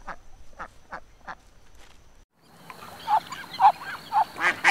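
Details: Ducks with ducklings: four evenly spaced nasal quacks, a short silence, then a louder, busier run of harsh quacks mixed with thin curved peeping notes.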